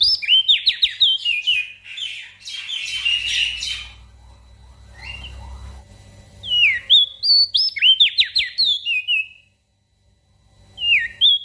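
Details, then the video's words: Javan grey-throated white-eye in energetic gacor singing, used as master song for training small birds: rapid runs of clear, slurred whistles dropping and rising, a rougher burst midway, quieter stretch, then more sweeping whistles and a short silence. "Opior Jambul Gacor Untuk Masteran Burung Kecil"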